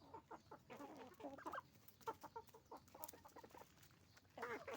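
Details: Roosters and hens on a farm making noise: bursts of rapid chattering clucks from several chickens, a brief pause, then a loud cackling burst at the end.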